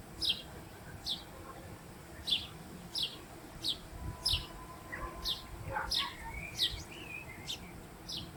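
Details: Western jackdaws from a colony in an old Roman quarry: sharp, short descending calls repeated about once a second, with a few wavering, warbled notes near the end over low background rumble.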